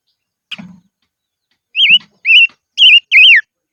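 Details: Highland decoy silver-eared mesia gives four loud, warbling whistled notes rising and falling in pitch, after a brief chip and low muffled thumps.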